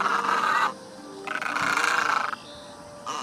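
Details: Great egret calling the flock, a lure recording for shooting or trapping: two long, harsh, grating croaks, each lasting under a second, separated by a short gap, with rough, noisy tone throughout.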